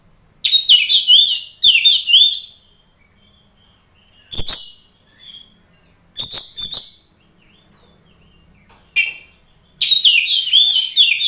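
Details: Loud song of an oriental magpie-robin, played to test how fiercely other magpie-robins respond: rich, rapidly modulated warbling phrases alternating with sharp, harsh bursts and a few short whistles, with clean silence between phrases.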